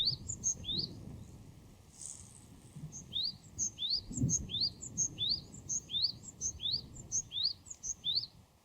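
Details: Japanese tit singing in the wild, a steady string of paired notes, a high sharp note followed by a rising whistled slur, repeated about a dozen times, with faint low background noise.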